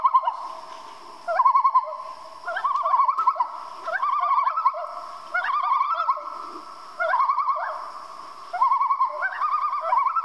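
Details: Common loon calling at night: bursts of quavering, wavering notes repeated in rapid tremolo runs, each burst lasting about a second, rising and falling slightly, with pauses between phrases over a quiet background.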